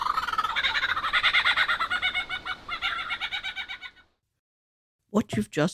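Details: Superb lyrebird near Mount Sugarloaf, Australia, pours out a rapid, rich run of ringing, chattering notes for about four seconds, mixing its own mating call with mimicry of a whipbird, a chainsaw and a kookaburra; a man's voice follows.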